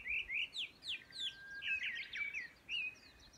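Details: Chinese hwamei at Yudanaka Onsen hot-spring town, Yamanouchi, Nagano, Japan, May 2020: a short burst of loud whistled notes, bright down-slurs and a quick warbled trill, repeated in rapid succession.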